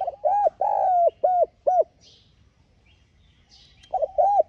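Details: Lure call of a spotted dove meant to attract wild doves: a phrase of low arched coos, one drawn out longer, then a pause with faint twittering of other birds before the coos start again.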